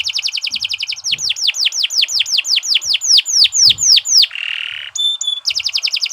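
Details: Singing canary, meant as tutor material for other birds: a quick trill gives way to loud, evenly spaced downward-sweeping whistles about four per second, then a harsh buzz, a thin steady tone and a final rapid trill.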